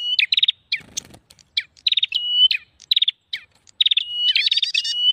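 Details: High prinia chatter used to lure birds, with short, rapid trills of sharp notes and level whistled connectors. The groups repeat about every second, with a brief low rustling noise near the start.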